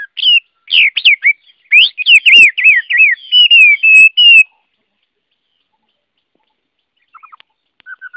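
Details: Garrulax canorus, the Chinese hwamei, delivers rich, rolling whistles in a fast descending series lasting about four seconds, then near silence with a few faint low notes at the end.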